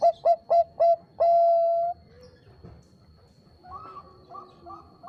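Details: Bangkok-type zebra dove, used as a master recording to excite competing birds. Four quick, loud coo notes come in a rapid burst and end on a long held tone, followed by softer cooing from other doves.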